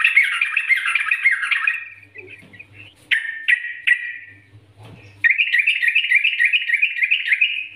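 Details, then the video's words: Yellow-vented bulbul training song meant to prompt caged birds to sing: a dense bubbling warble opens, then brief sharp descending notes, a pause, and a long fast rippling phrase to the end, over a soft low hum. "Masteran Trucukan Gacor NGGARUDA ini Rekomendasi untuk pancingan trucukan agar bunyi gacor"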